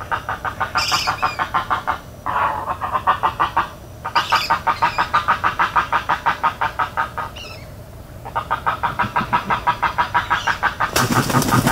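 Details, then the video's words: Long bouts of quick, harsh repeated pulses from a spoonbill in Everglades National Park, separated by short silences, ending in a burst of broad noise. "Spoonbill Sounds in Everglades National Park"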